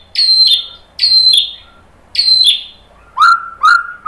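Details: White-rumped shama lure song to provoke other birds to sing: three high downslurred whistles about a second apart, followed by two lower, shorter whistled notes.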